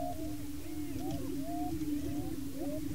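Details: Several male Greater Prairie Chickens displaying on a lek in Washington County, Kansas, establishing breeding territory: a low steady moaning drone with arching, swooping hoots and whoops layered above.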